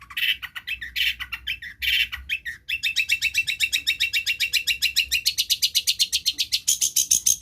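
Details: Long-tailed shrike copying other birds' songs, played to coax birds that have gone quiet into singing: a few harsh rasping bursts, then a long, rapid, rolling trill of rich repeated notes that climbs to higher, thinner tones at the end.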